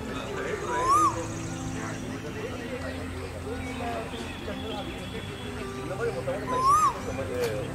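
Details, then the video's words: A male Asian koel on a spring morning by a lake gives two clear, rising whistled notes about six seconds apart, over a steady low hum with faint chirps from other birds. "কোকিলের মিষ্টি কণ্ঠে মুখরিত এক বসন্তের সকাল ।। Sweet sound of Asian koel bird (Male)"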